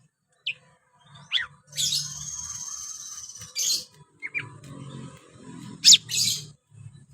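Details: Greater green leafbird (cucak ijo) in energetic full song: scattered sharp chirps, a long sustained buzzy trill, and loud explosive notes, with low murmuring background noise.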